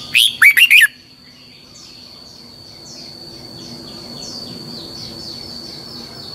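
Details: A red-whiskered bulbul sings a lure phrase for training songbirds, in the long twisted double-voice style. The phrase is a quick burst of whistled, warbling notes. Faint chirping sounds far behind it, and a steady high tone runs throughout.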